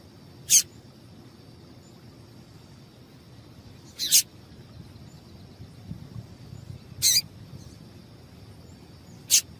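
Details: A female Double-collared seedeater gives calls meant to stir males into song. Four brief, piercing high chips come roughly every two to three seconds, some slightly doubled, against a thin constant high whine and quiet background.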